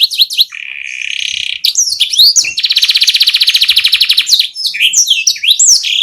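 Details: Canary song played as tutoring material: sharp varied whistles, a flat steady trill, then a long fast pulsing roll, ending in quick swooping notes, bright and high.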